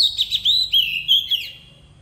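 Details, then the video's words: Oriental magpie-robin decoy singing forest-style to train young birds: a quick string of about six sweet whistled notes with looping up-and-down inflections, fading out toward the end over faint low noise. "Chòe than mồi hót giọng rừng cực hay"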